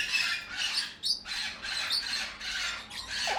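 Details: Young Amazon parrots giving harsh, raspy, hissing squawks in a steady run of about five broad bursts, each roughly half a second long with brief gaps, plus a short lower note at the end.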